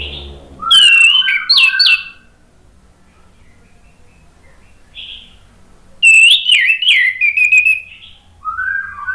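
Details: ['Orange-headed thrush singing as a lure to make birds answer. Two bursts of rich, fast whistled phrases, high and lower, are separated by several seconds of near quiet, with a short soft note between them.']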